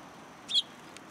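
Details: Sparrows coming to be fed, recorded on 26 October 2022 on the way home: one short, sharp, high chirp rises sharply out of a quiet background, followed by a faint tick a moment later.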